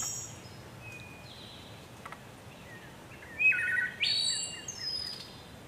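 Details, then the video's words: Wood thrush singing: a single fluty phrase of a few clear low whistled notes, then a sudden jump to a higher, shimmering, trilled ending, over a quiet background hiss with a thin high whistle heard earlier. "Wood Thrush Bird Beautiful Sing"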